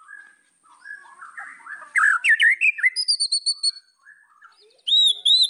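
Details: White-rumped shama singing to provoke rival birds: faint whistles lead into loud, jumbled whistled phrases with quick slurs, a run of high repeated notes, then high looping whistles at the end.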